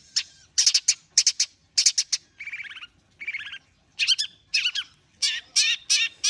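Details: Warming-up song of a long-tailed shrike, a mix of harsh chattering bursts in quick groups, broken by two lower buzzy, grating phrases, then loud scratchy notes again.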